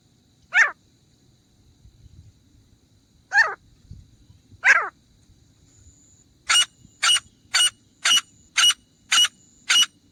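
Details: Grey francolin hunting call: three single descending notes spaced apart, followed by a regular series of short, loud, sharp notes roughly every half second.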